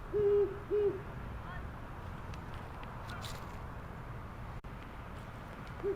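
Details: Great horned owl giving deep, soft hoots in a stuttering rhythm, a longer note, a quick short one, then a pause, over a low hum; males and females duet, with females higher-pitched, though no duet is heard here.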